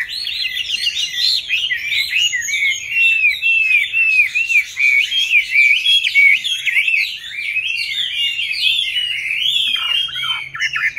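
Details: Captive Chinese hwamei, a wild-caught adult now kept five years, sings a rich flowing song of repeated looping whistles and clear slurred notes. The phrases are delivered almost without pause and swell and fade in waves.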